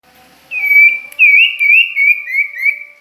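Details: Sirtu or common iora (cipoh) singing at Ajibarang: a string of clear whistled notes that slur and waver, rising and falling, then settle into a series of short upswept whistles in the second half.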